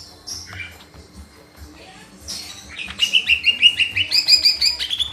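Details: Singing lesser green leafbird: soft scratchy notes build into a loud run of rapid repeated whistles that jump higher partway through.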